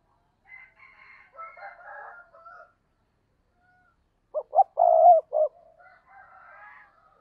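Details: Spotted dove used as a caller to attract other doves: soft, distant cooing, then a loud phrase of stuttered short notes leading into a long low coo, followed by more faint cooing.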